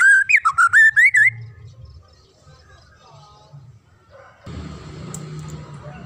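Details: A quick chain of loud, looping whistled notes from a magpie-robin fills the first second, then fades into low background noise. The song is used to train young birds.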